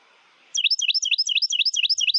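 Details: A male Carolina wren, the only sex that sings, gives its loud tea-kettle song in eastern United States woods in spring: about eight rapid, ringing, down-slurred whistled phrase groups in under two seconds.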